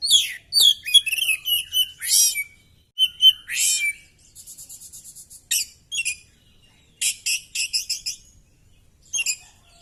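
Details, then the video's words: An Oriental magpie-robin fights and fans its tail while pouring out its repertoire: loud churring trills, rising whistles and scratchy notes, then a soft rapid rattling series before more bright chattering phrases. "Burung kacer gacor!!kacer tarung buka ekor bongkar materi"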